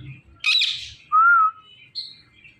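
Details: Indian ringneck parakeet giving a harsh raspy squawk, then a loud pure whistled tone rising and falling slightly, and a short high note after a pause.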